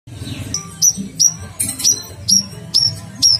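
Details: Olive-backed sunbird, a masteran tutor recording of a prolific gacor singer: sharp, high, downslurred chirps repeated roughly every half second, over a steady low music bed.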